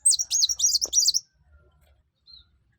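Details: Sunbird, locally called kuwul, kolibri wulung or mucang, in full song meant to set other birds singing: one quick burst of very high, rapidly repeated looping notes lasting about a second, then near silence.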